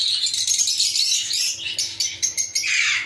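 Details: Many lovebirds kept together in a colony chatter in a shrill, overlapping stream of squeaky chirps, with sharper separate squawks near the end.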